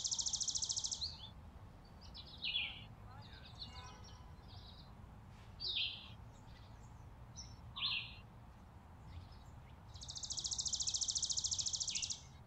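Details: Chickadees feeding on a porch in winter, December 2022. A harsh buzzy series of rapid repeated notes opens the clip. Scattered high chips follow, then another long buzzy run near the end.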